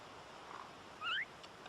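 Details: A Cook Islands myna gives a single short, rising whistled note, clear over a soft background hiss.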